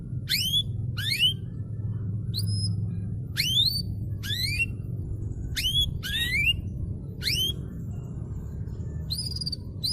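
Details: Canary singing in a master recording meant to set silent canaries singing: separate sharply rising whistled notes, roughly one to two a second with gaps, over a steady low hum.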